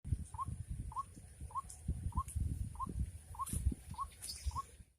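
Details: White-breasted waterhen during rainy-season trapping: eight short, rising mid-pitched notes repeated steadily about every two-thirds of a second, over low rustling and thumping handling noise and a faint steady high whine.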